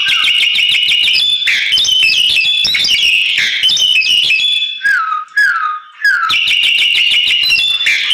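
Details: Crested myna song used as a tutor recording for other birds: nonstop rapid, varied chatter of high notes with short bursts and falling whistled slurs near the middle.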